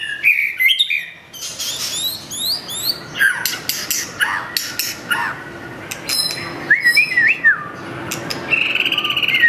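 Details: Curve-tailed white-rumped shama singing a varied repertoire at a rival: quick sharp chips and sweeping notes, then slurred whistles rising and falling, ending in a sustained high whistle.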